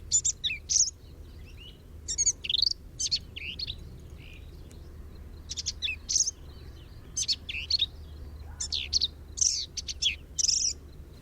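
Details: Black-capped Vireo song recorded in dense shrubby breeding habitat at Fort Hood, Texas, during the 2021 breeding season: a rapid, varied run of short, husky chattering phrases and high squeaky notes in quick bursts with brief pauses.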